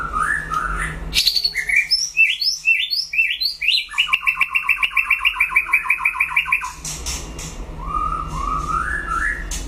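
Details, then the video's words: Competing in a solo duel, a White-rumped shama pours out a rich song: a fast series of rising whistles, then a long rapid rattling trill of doubled notes, ending in soft rising whistles. "File Lửa đấu solo (shama bird)"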